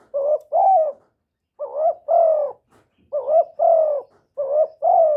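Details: Clean recording of a spotted dove calling: four two-note coo phrases, a short rising hoot then a sustained, gently descending coo, spaced roughly one and a half seconds apart with silence between them.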